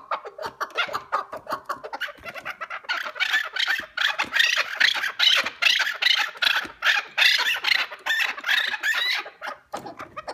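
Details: Keklik, or chukar partridge, calling in a 'hengamesi' bout: a long run of harsh, raspy clucks repeated about two to three times a second, building louder midway, then breaking off near the end.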